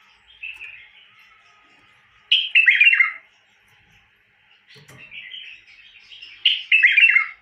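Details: Bulbul singing: two bright, warbled phrases about four seconds apart, each opening with a sharp note and then tumbling down in liquid, chattering notes, with faint softer twitters in between.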